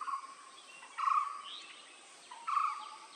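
A Blue-throated barbet gives loud, low, throaty rolling notes in short bursts roughly every one and a half seconds, over a steady high insect-like hiss.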